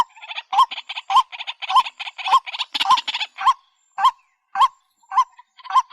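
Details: White-breasted waterhen: a fast series of rough croaks with upslurred whistles, easing into clearly spaced single rising notes about every half second.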